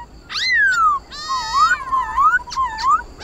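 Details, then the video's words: Black-throated laughingthrush in forest-style song for training caged birds: long clear whistles gliding down and up, mixed with harsher broad notes, against steady background noise. "Khướu Hót giọng rừng"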